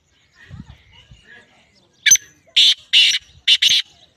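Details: Black francolin calling: a loud phrase of five harsh, grating, broadband bursts, the later ones paired, following soft low murmuring speech at the start.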